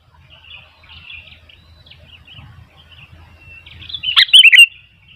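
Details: Sooty-headed bulbul song amid wild bulbuls; quiet scattered warbling notes, then a single loud burst of rapid bubbly descending chirps near the end.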